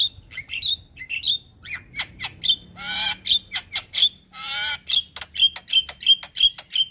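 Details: ['Caged Javan myna, recorded as training material. It gives a steady sequence of clipped high whistles and clicks, broken by a couple of harsh rasping squawks, with whistles recurring roughly every half second.']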